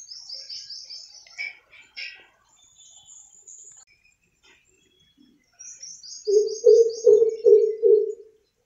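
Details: Greater coucal, or crow pheasant, amid city noise: high chirping from other birds and a brief chatter come first, then a deep run of five booming low hoots, with a faint high twitter above.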